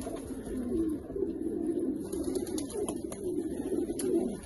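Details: Rare Australian pigeons in steady, low, bubbling coos, several birds overlapping with rising and falling throaty notes, and a few faint ticks in the background.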